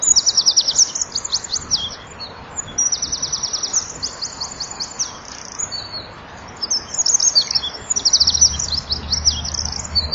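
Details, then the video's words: At dusk, 17:33 on 23 January 2014, at a nest-box camera, a Eurasian wren sings loud, very high, rapid trills and rattling phrases in 1–2-second bursts while flapping its wings, possibly with a second bird perched behind; a faint low hum comes in near the end. "WK zingt voor zit er ook een achter"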